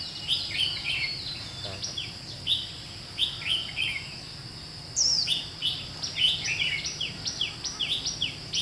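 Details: Decoy red-whiskered bulbul used to lure wild birds into a trap, recorded 17 July 2016: a lively run of short whistled, slurred notes and chirps, repeated in quick bursts, with a constant insect drone behind.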